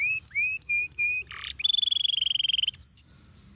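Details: Training song of a young canary: clear steady whistles, a short buzzy burst, then a rapid rolling trill of repeated notes and a final high whistle.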